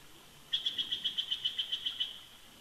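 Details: High, evenly spaced piping notes, about a dozen in quick succession, from a bald eagle pair calling together at their nest snag at Big Bear Lake, California, during winter.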